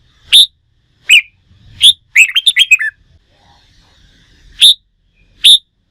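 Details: Red-whiskered bulbul caught from the wild and trained for singing contests: three separate sharp notes, then a fast tumbling phrase of about six whistled notes, followed after a quiet gap by two more single loud notes.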